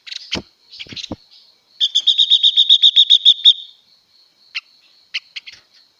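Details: Female blue-winged leafbird song meant to excite males: a few scratchy notes, then a fast even trill of about twelve bright high notes, followed by scattered single chirps.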